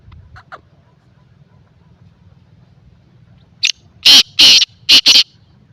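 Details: Black francolin calling: after a few faint notes, a loud harsh burst of five rasping, grating notes in quick succession near the end, with a low steady hum underneath.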